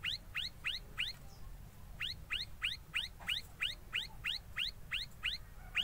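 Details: An ashy tailorbird gives sharp, upward-sweeping chirps about three times a second, with one short pause, over a low background rumble, while chirping and making its nest.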